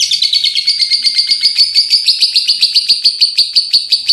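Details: Pet lovebird chattering nonstop on through to morning: a fast unbroken run of harsh high shrill notes, about ten per second, loud and even throughout.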